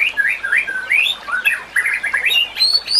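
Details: White-rumped shama song from a recording for training other shamas: quick sequence of loud clear whistles, swooping up and down, running into a cluster of chattering notes and two final rising whistles, steady hiss of water in the background.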